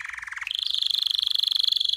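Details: Canary song used for training and to stimulate females for mating: a rapid trill on a lower note for half a second, then an abrupt jump to a higher, steady, fast-pulsed roll that runs on evenly to the end.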